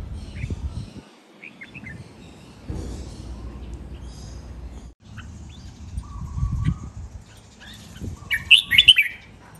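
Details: Red-whiskered bulbul training song, styles len rik, nap dok, mae bot and lak wai. Mostly scattered faint chirps and a flat tone, ending in a short, bright warbled whistled phrase.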